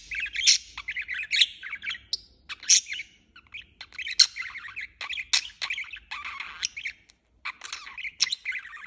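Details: Budgerigar chirping continuously in bursts of rapid warbling chatter, with harsh scratchy squawks and a few short pauses near the end.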